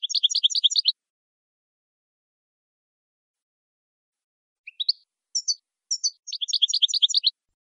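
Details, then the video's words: Saffron finch song for educating captive jilguero campero birds: a buzzy rapid burst of stacked chips, a long pause of nearly four seconds, then a few sparse rising notes leading into another dense burst. "NUEVO CD JILGUERO CAMPERO PARA EDUCAR"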